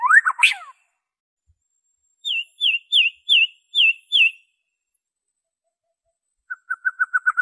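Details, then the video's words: White-rumped shama, pure original song used to prompt captive birds into singing: a rising whistled flourish, then six evenly spaced clear downslurred whistles, and after a pause a quick run of short notes. "PANCINGAN SUARA MURAI BATU ORIGINAL TANPA ISIAN"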